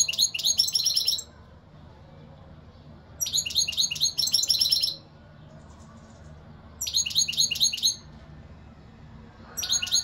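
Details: European goldfinch singing: three bright, high twittering phrases of about a second each, rapid tinkling notes delivered in bursts separated by short pauses, with a fourth phrase starting at the end; quiet background.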